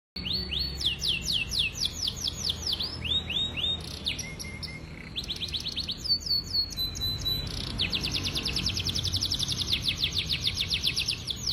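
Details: Lemon canary of the Podang type singing a long, continuous song: rapid trills of upward-sweeping whistled notes, shifting between phrases of different pitch, with some buzzy stretches and fast repeated chips, roughly four notes a second.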